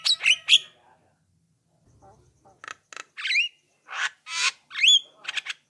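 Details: Javan myna song played to draw a reply from other mynas: a burst of harsh notes, a short pause, then rasping squawks and clear upward-bending whistles, with faint low sounds in the gap.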